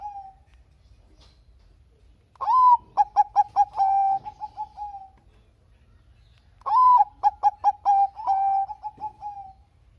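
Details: Two complete songs from a Bangkok-type zebra dove, meant to prompt reluctant doves to sing, about four seconds apart. Each has a sharp rising coo, a rapid string of short notes and a sustained steady tone at the end.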